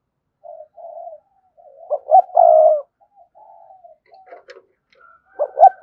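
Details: Spotted dove calling a rival bird: soft low murmuring, one full phrase of two short notes and a long coo, then a few clicks and the start of another phrase.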